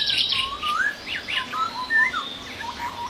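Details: Masked laughingthrush in the wild giving a busy run of whistled and chattering notes, including quick upward slurs and short falling whistles, over steady background noise.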